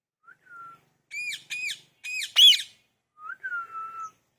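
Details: Parrot calling naturally: a soft thin whistle, then a run of harsh arched squawks, the last loudest, and a closing drawn-out whistle with a rising start, all separated by short pauses.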